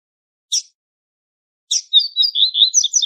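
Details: Songbird from Brazil's Northeast region: two brief high chirps, a pause, then a rapid run of sweet, warbling high notes, rising and falling and repeated quickly over a second and a half, with no other sounds.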